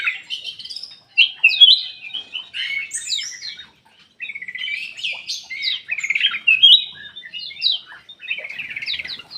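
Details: Aviary Ruby-throated bulbul, its song meant to draw out silent birds. Busy jumbled warbles with sharp upslurs and chattering trills, broken by one short gap before the flow resumes.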